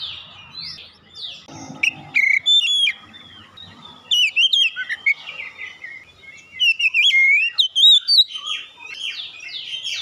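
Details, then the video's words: Oriental magpie-robin song, used as a lure to get other birds singing: a rich run of clear whistled notes, slurred upswings and sharp chips, delivered in rapid bursts with short pauses and a faint low rumble early on. "pancingan Kacer ampuh langsung gacor"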